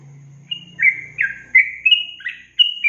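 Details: Yellow-vented bulbul song from a long-trill training recording for songbirds, with sweet slurred whistles rising and falling in a quick sequence, a low hum audible beneath the opening notes.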